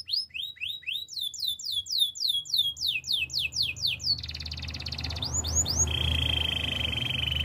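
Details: A Spanish timbrado canary repeats descending swept notes about four per second, then moves into a buzzy roll, a few quick slurs and a steady flat trill, with a low hum beneath.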